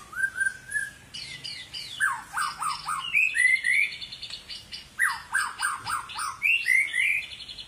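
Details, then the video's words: White-rumped shama of the long-tailed Medan variety singing a rich, varied song: a steady whistled opening, then rapid bursts of descending whistled notes, buzzy trills and high chirps that shift pitch and restart every second or two. "suara burung murai medan ekor panjang maksimal"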